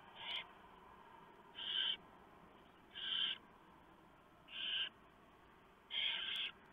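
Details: Barn owls at a nest on a live nest camera, recorded at night around 4 AM in November, as the male delivers a large mouse and the female shreds it for the owlets; harsh hissy bursts near four seconds old repeat about every one and a half seconds.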